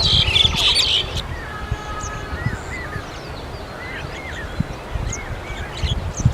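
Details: Western yellow wagtail in an onion field giving short, thin rising chirps, several a second, over a buzzy burst of twittering at the start, with low wind rumble throughout.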